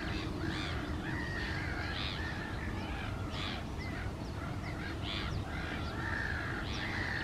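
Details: At small lakes on a May morning in 2024, a great crested grebe gives loud, grating, crow-like calls with drawn-out harsh notes, repeated every second or so, over steady low background noise and other birdsong.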